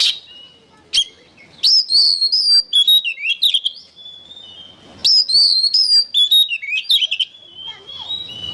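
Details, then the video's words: Oriental magpie-robin giving songbird-training song: two strong phrases of varied high whistles, slurred glides and rapid chips about three seconds apart, the second ending in a long level whistle. "MASTERAN BURUNG KACER GACOR"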